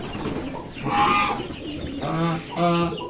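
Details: Mother swan, with five newly hatched cygnets, honking to drive away a person approaching her young; a harsh noisy burst followed by two short nasal harmonic honks in quick succession.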